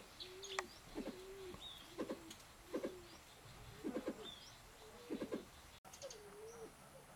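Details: Mrs. Hume's pheasant, subspecies burmani, kept at a breeding center in Chiang Mai, Thailand, repeats short low notes followed by quick rattled pulses, roughly every second, over a soft background of distant high bird chirps.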